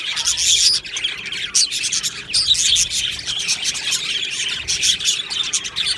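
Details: Aviary colony of budgerigars on 22 June 2025, many birds singing at once: continuous high twittering and scratchy warbles, with bursts of louder chirps and short dips in between.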